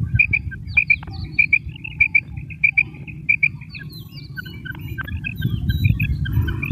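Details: Female common quail call from Pakistan: clear paired high notes, 'pik-pik', repeated about every half second, then more scattered notes, over a steady low rumbling background.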